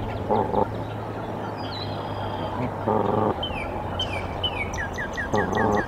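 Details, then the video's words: Female goose on her nest at the Decorah nest cam, 27 March 2023, sounding the alarm to summon the male to the nest: three loud, harsh honks roughly two and a half seconds apart, with small songbirds chirping and a steady low hum. "Mother Goose sounds the alarm. Father Goose to the nest"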